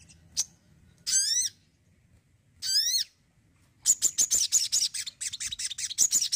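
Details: Crimson sunbird singing energetically: a sharp high chip, then two stacked, slurred, descending whistled phrases, followed by a rapid run of very high, piercing notes near the end.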